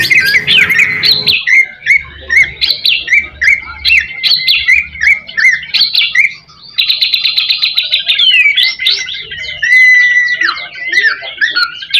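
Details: White-rumped shama song played as a lure to stimulate other shamas and lift their spirit: rich, varied whistled phrases delivered rapidly and almost without pause, with sharp chirps and rising and falling slurs, after a brief burst of broad noise at the start.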